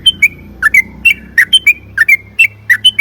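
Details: Yellow-vented bulbul singing a lively long rolling song for luring other bulbuls to sing: clear whistled notes, some rising and some falling, paired and repeated steadily for three seconds.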